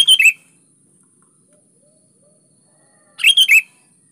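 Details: Sooty-headed bulbul singing vigorously as a lure to provoke reluctant bulbuls: a short cheerful phrase of three or four bright whistles, a pause of nearly three seconds, then the same phrase again.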